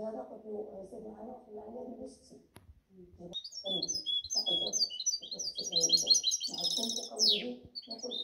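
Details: A man talks in Spanish, then a goldfinch hybrid breaks into quick, high, jingling twitters and a falling buzzy note while the talking continues beneath.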